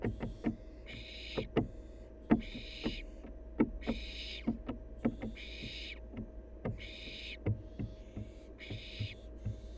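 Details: Barn owl fledgling, wild, playing: a series of about seven breathy screeching hisses, each under a second, broken by many sharp clicks and taps from scrambling feet, over a low constant hum.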